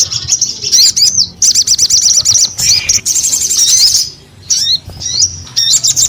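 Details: Crimson sunbird (sogon) in lively song: high sharp chirps in fast repeated phrases of zigzagging notes, broken by brief pauses, then thin rising whistles near the end.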